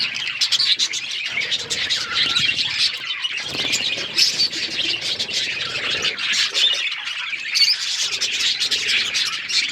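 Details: A group of budgies on February 18, 2024 keeps up dense, scratchy, high-pitched chirping and chatter throughout, rising and falling in intensity, with occasional soft low rustles.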